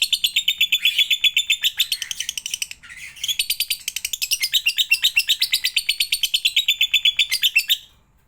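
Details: Lovebird song played as a lure to get other lovebirds singing: a fast, sustained run of high chattering chirps, about four per second, with a brief rougher break near three seconds, then an abrupt stop.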